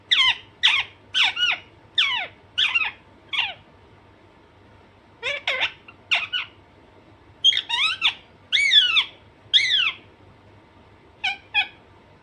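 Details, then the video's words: Pet Alexandrine parakeet giving series of short, sharp squawks, several in quick succession, then pausing and starting again, with a faint constant hum underneath. "Alexanderine naughty parrot/parrot natural sound"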